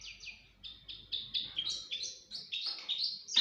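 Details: Pet crossbill sings in a mating context: a series of sharp, downslurred high notes at an uneven pace, then rising chirps, loudest at the end.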